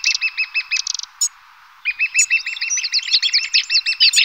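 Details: Lesser spotted woodpecker feeding its young: rapid series of short, evenly spaced, high piping notes, then a pause with a sharp click, then a denser, overlapping run of the same piping calls, as if several birds call at once.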